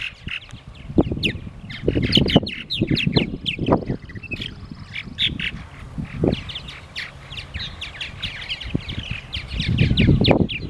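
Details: Several purple martins chatter in rapid, overlapping high chirps and gurgles at Cape May Lighthouse in May 2018, over heavy low wind rumble.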